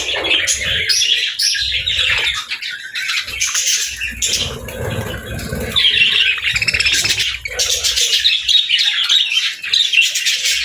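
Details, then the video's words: Chirping budgerigars, called happy birds, give a rolling mix of squawks and warbled chirps, briefly quieter near two and four seconds, then louder, busier chatter to the end. "Budgie Chirping Sounds: Happy Birds"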